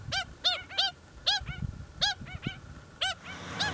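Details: Yapping, puppy-like calls from pied stilts of a native colony that nested and raised chicks on a construction site of the Waikato Expressway, Hamilton section; quick bursts of bright barking notes, some paired, with faint background rumble.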